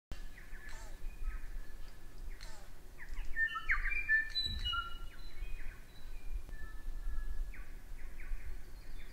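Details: Tui in a New Zealand garden, a male back after spending the summer elsewhere, giving varied phrases of clicks, short whistled notes and metallic pings, with a steady low rumble underneath.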